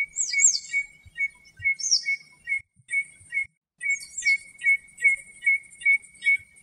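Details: Common redshank in Greece repeating short piping 'tyu' notes, about two or three per second, while another bird gives thin, high, sweeping chirps over the top.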